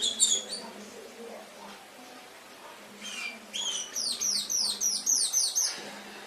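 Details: Canary song on an Indonesian masteran tutor track: a few faint chirps over quiet background, then a loud burst of rapid repeated down-slurred high notes lasting about two seconds before fading.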